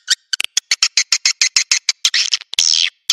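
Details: To attract swiftlets to nesting sites, this Naga Merah call gives an even series of crisp clicks, roughly two per second, ending in a harsh rasping buzz and a final click.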